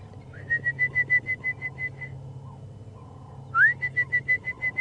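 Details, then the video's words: Orange-breasted bush-shrike calling in the distance in the lowveld during a late-afternoon sunset drive near a hippo waterhole: two quick runs of clear, even whistled notes, about seven a second, at steady mid-high pitch over low engine hum. "Then you've got the beautiful call which you hear often in the lowveld, the orange-breasted bush shrike."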